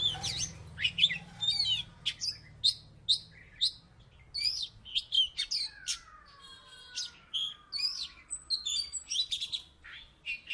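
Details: Oriental magpie-robin from Salatiga, a former third-place contest winner, singing energetically: rapid varied chirps, short whistles and trills, with a long descending whistled note near the middle, phrases separated by brief pauses; faint low hum beneath.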